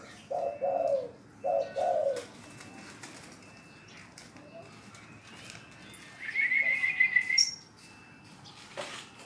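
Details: Spotted dove trained to call on command gives two hoarse short-long coo phrases early on, followed by quiet and then a high, fast trilled chatter near the end.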